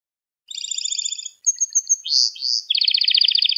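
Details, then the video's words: Canary singing as tutor song for young birds: a buzzy layered trill, a few separate chipping notes, two slurred rising phrases, then a rapid rolling trill, with a quiet background. "Kanarya Sesi Ve Ötüşü"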